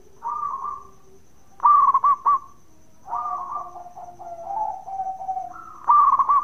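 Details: Indonesian local zebra dove giving its bekur song to get other doves calling back; clipped rolling trills separated by gentle sustained cooing phrases.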